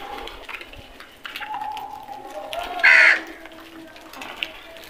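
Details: Low ambient noise and faint tonal sounds give way to one loud, grating crow caw in the middle.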